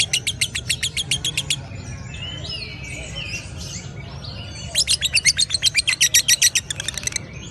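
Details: Lovebird ngekek song in two bursts of rapid, shrill, evenly spaced chatter. Between them come quieter twittering and warbled notes for about three seconds.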